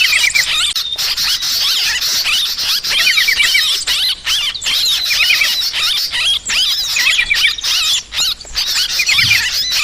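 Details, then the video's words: Sooty-headed bulbul, noisy calls used as a lure for trapping birds: dense overlapping chattering and bubbly warbled notes, with fast repeated trills and squeaky phrases, almost continuous with brief pauses. "Suara Trucukan Pikat Burung ribut"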